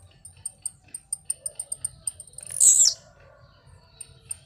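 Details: Blue-black grassquit singing while jumping: a single loud, buzzy, high note bursts out mid-clip, preceded by a steady run of faint, sharp ticks repeated about every fifth of a second.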